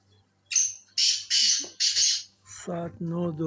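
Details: Black francolin (Sindhi tetar) calling with four loud, grating, buzzy bursts in close succession, followed by a man speaking over a faint background hum.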